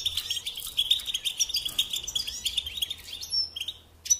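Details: European goldfinch twittering, quick high chirps that thin out toward the end, with light background hiss.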